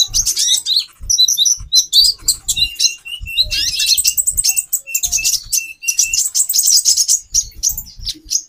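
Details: Calls of a female konin (kolibri ninja), played to arouse the male: a long, busy stream of very high chirps and squeaky twitters, broken by short repeated flat notes, over soft low thumping.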